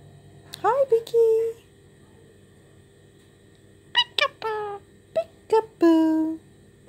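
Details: A pet Indian ringneck parakeet chats to himself in short, clipped, squeaky word-like bursts, saying "be a good boy", which he normally says after doing something naughty.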